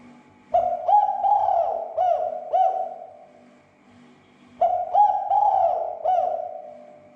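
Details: Provoking call of a spotted dove, used to stir other doves into calling: two rhythmic coo phrases of four to five soft hooting notes, the last note trailing off, about four seconds apart.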